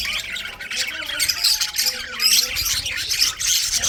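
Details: Budgerigars chirping in winter, a rapid scratchy twitter of high notes and short squawks with soft lower warbles beneath, steady throughout.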